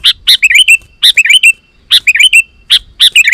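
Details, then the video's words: Lively sooty-headed bulbul song used as a lure for wild bulbuls; repeated phrases of a sharp note followed by a rolling, bubbly warble, about four phrases in quick succession. "Suara Burung KUTILANG GACOR 100% Ampuh Untuk Suara Panggilan Kutilang Lain auto Emosi dan Gacor"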